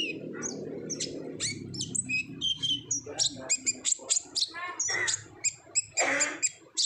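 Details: Active 'ngobra' style singing of an olive-backed sunbird, meant to make untrained birds call: dense high chirps, trills and short buzzy notes, with a low murmur at the start.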